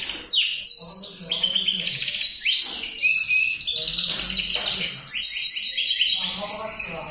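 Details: Singing male canary pours out an unbroken stream of rapid, bright trills and warbled rolls, shifting between higher and lower phrases, with a faint low hum in the background.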